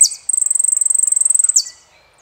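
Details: Saffron finch of Argentina sings a long, steady, rapid trill of high ticking notes lasting over a second, framed by sharp downslurred notes at start and end.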